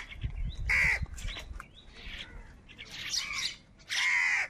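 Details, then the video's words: Crows squabbling over food: loud hoarse caws and squawks in short bursts, with fainter chatter between them. "Crow bird Fight for Food | Different kauwa ki awaz"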